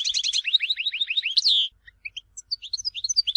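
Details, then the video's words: European goldfinch singing in Tizi Ouzou: a fast run of high twittering notes sliding downward and ending in a bright rising flourish, then a pause with scattered short chirps and faint low rumble. "Chant chardonneret tizi ouzou تغريد حسون تيزي وزو"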